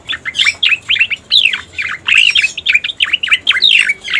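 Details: Lure song of a striated grassbird, meant to attract it: busy, jumbled sequence of bright chirps and swooping whistled notes delivered without a break.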